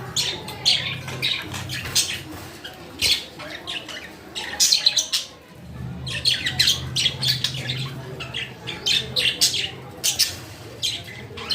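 Budgerigars chatter in a busy stream of sharp, squeaky chirps and scratchy warbles.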